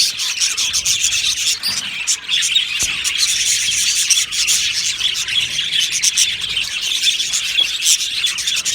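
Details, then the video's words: Many Australian budgies chattering in an aviary, a steady wash of high twittering and chirps from the colony with a sharp click near the middle. "Australian Budgie singing birds video | Beautiful Budgie aviary chirping sounds"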